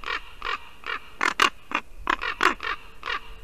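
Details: Ravens calling at a white-tailed eagle nest in Latvia while the female sits in it: a steady run of hoarse, throaty croaks repeated roughly every third of a second, some louder and rasping, some creaky like a rusty hinge.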